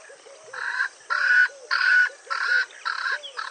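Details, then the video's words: Swainson's spurfowl (Pternistis swainsonii) in Kruger National Park, one of its most common, vocal ground birds, giving a harsh, grating crow of rasping bursts, about two each second, over soft, steady background chirping. "Swainson's Spurfowl (Pternistis swainsonii) Bird Call"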